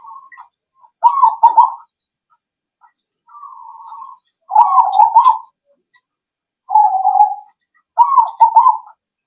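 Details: Zebra dove cooing played as a lure so other birds answer; rolling, stuttering coo phrases alternate with smoother drawn-out coos, several in sequence with brief gaps and faint high chirps.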